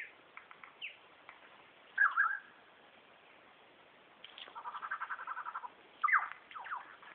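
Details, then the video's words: From behind bushes, a male superb lyrebird works through borrowed calls, among them laser gun, kookaburra, whipbird, whistlers and magpies. Varied phrases: sharp zigzag notes, then a steady rapid train of pulsed notes and another bright zigzag call. "Superb Lyrebird call"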